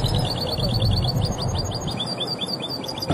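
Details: A European goldfinch sings at a national goldfinch and hybrid singing contest in Oujda, Morocco: a fast stream of bright, twittering notes, several per second, over a steady low hum and murmur of background noise.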